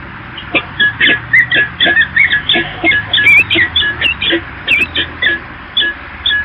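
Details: Peregrine falcons at the Evoluon building in Eindhoven, 8 April 2022: a harsh, rasping call repeated steadily about two to three times per second for several seconds, with faint low background hum.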